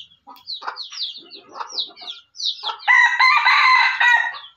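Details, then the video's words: Decoy junglefowl from Aceh: several short high downslurred chirps in quick succession, then a loud rasping crow-like burst lasting about one and a half seconds. "Ayam Hutan Aceh"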